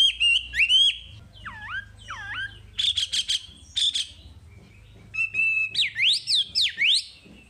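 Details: Wambi masteran song: sweeping whistles that dip and rise, bursts of rapid clicking notes, a level trill and loud V-shaped slurred whistles, varied and fast, with a low background hum.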